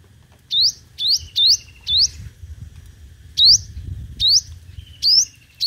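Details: Competitive singing of a five-colour sunbird, used as a trapping lure. Sharp, high, upslurred whistles come in uneven bursts, with a faint thin trill between them. Low background rumble throughout.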